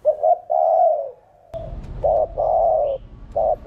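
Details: Low hollow cooing of a spotted dove in 'thổ đồng' style, used to excite other birds to call: paired short coos and a long drawn coo, repeated, with a rough background hum entering midway.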